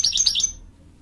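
A female American Goldfinch gives a quick run of four high, thin twittering notes in half a second, then falls silent; nothing else is heard.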